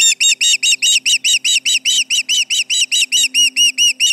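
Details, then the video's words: Intruders near the Charlo osprey nest, July 29, 2019, 11:30am MDT, prompt a relentless series of high, ringing whistled chirps, evenly spaced at a little over two per second. "Intruders around, 7/29/19 - Charlo osprey nest"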